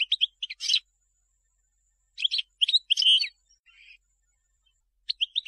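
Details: European goldfinch singing for young birds to learn: short bursts of high twittering and tinkling notes separated by silent gaps of over a second, with a faint soft trill near the middle.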